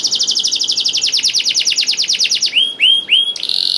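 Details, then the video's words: Canary singing to stimulate other canaries: a rapid rolling trill of repeated descending notes for over two seconds, followed by three slower upward-curving whistles and a brief buzzy note. "KENARI GACOR DOR INI MEMANCING KENARI YANG SUSAH BUNYI JADI IKUT GACOR"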